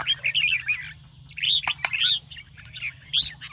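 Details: Red-whiskered bulbul, caged and trained for singing competition, in morning song: loud rolling whistled phrases in three main bursts, with a couple of sharp clicks and a low hum underneath.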